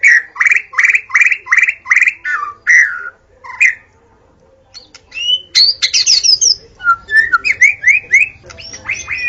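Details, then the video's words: In a forest, a white-rumped shama repeats a two-part whistled note about six times in a row, pauses, then continues with rising whistles and fast chattering phrases. "Murai Batu Auto Gacor: Simak Suara Asli di Hutan yang Memikat"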